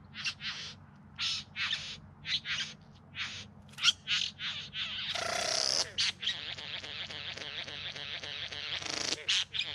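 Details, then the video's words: Courting bowerbirds singing in the Yarra Valley near Melbourne in September: chattering harsh notes and buzzy rasps, a loud hissing whoosh midway, then continuous mixed scratchy mimicry-like calls with a clicking background. "Bowerbirds Singing and Dancing"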